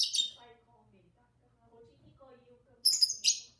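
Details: Two pet lovebirds with their owner, sharp high chirps opening and closing the moment, while quiet human talking fills the gap between them.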